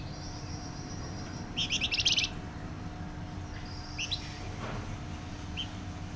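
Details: Flamboyan bird giving one short burst of fast, bright trilled notes, then a few soft separate chirps, against a quiet background with a constant low hum.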